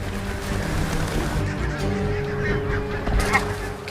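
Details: A flock of barnacle geese wintering on the Isle of Islay, on Scotland's west coast, where white-tailed eagles hunt them, gives a steady, overlapping chorus of short yapping honks over soft background music.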